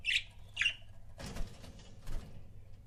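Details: Budgerigar couples kept as pets: two quick, bright chirps open, followed by soft rustling, fluttery noises and low hum.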